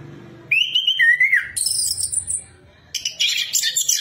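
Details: Singing orange-headed thrush on a lure recording for other birds: a rising whistle and a warbled dip, a high thin trill, a short pause, then a burst of scratchy mixed notes.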